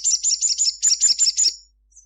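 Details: Sunbird (sogon) singing in a lively gacor style at midday: a fast series of high, sharp chirps repeated about seven times in quick succession, then trailing off with one faint high note.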